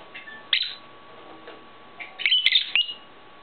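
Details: Pet-shop lovebirds kept indoors, wings clipped: sharp shrill chirps in short bursts, a few isolated squeaks followed by a rapid cluster of piercing high calls in a small room.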